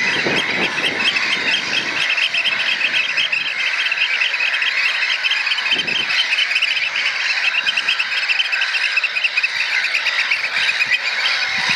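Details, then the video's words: Three juvenile Eurasian oystercatchers, probably nestmates, in a shrill, high piping chorus with an adult occasionally joining: rapid excited notes running on without pause, with a few low thumps of wind or handling. "OYSTERCATCHERS PIPING"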